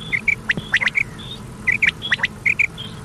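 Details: Common quail calling on an old cassette recording played at night: repeated sharp triple-note phrases come in quick bursts, mixed with short high whistled notes, over constant background hiss.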